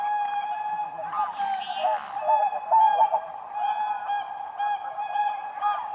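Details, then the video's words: Whooper swans on ice at a lake in spring, displaying as if dancing, call in a steady chorus of loud, bugling honks, overlapping and repeated with a brassy, nasal ring. "WHOOPER SWAN birds dancing on ice"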